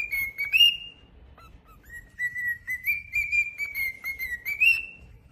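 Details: Singing pet cockatiel: a bright whistle that lifts at first, a short gap with two soft notes, then a long steady whistle that climbs gently toward its close.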